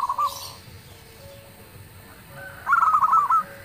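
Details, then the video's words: Local zebra dove in loud song said to make other doves answer: a brief fading coo at the start, a quiet stretch, then one rapid rolling phrase of bubbling notes. "suara perkutut lokal gacor_dentuman suaranya bikin yg lain nyaut"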